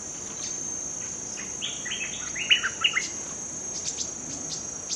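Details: Bulbul, a newly caught bird in training, gives a short burst of quick warbled chirps and whistled notes midway, against a steady high insect drone.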